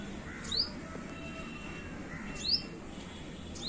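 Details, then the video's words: Small yellow bird whistling and chirping; sharp, very high, rising chirps repeated about every two seconds over steady background hiss. "সেই যে হলুদ পাখি............. 🐦🐦🌼🌼 (Bird Whistling and Chirping)"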